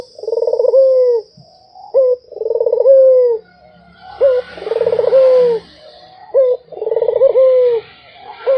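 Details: Barbary dove giving its anggungan coo: a throbbing, rolling start that smooths into a drawn-out, slowly falling note, then a short clipped coo. The pattern repeats about every two and a half seconds, with faint hiss behind.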